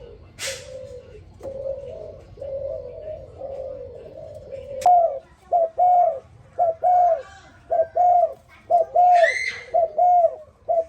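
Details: Morning cooing of a spotted dove: soft, muffled hoots at first, then a louder, steady run of short paired coos about once a second; a brief chirp from another bird and a click are also heard.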